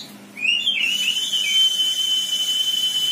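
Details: Java sparrow, an untrained young bird, singing: a few quick rising notes, then one long, steady, pure whistled tone held at the same pitch for over two seconds.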